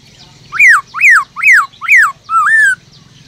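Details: Black-throated laughingthrush, a cage bird, singing to excite other birds: four loud arched whistles, each rising then falling, about half a second apart, closing with a longer level slurred note, over faint low hum.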